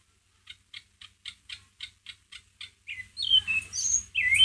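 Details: White-rumped shama ngeriwik used as a lure to provoke a pet shama: a rapid even series of about ten dry chattering notes, followed by louder looping whistled slurs.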